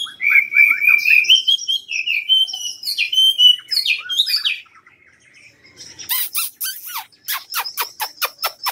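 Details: Cao Bằng hwamei, a tame cage bird in Vietnam, singing rich slurred whistles that rise and fall, followed after a brief gap by a quick series of sharp, high clicking notes.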